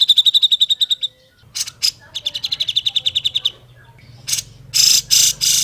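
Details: Grey-cheeked bulbul singing in a natural, clear training recording for other bulbuls. A fast trill of high piping notes, a few scratchy bursts, another rapid string of ringing notes, then three loud harsh rasping notes.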